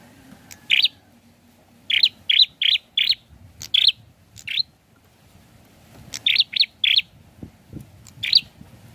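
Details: Prinia uttering clusters of short, sharp high notes, groups of three to four in quick succession, over a low background rumble.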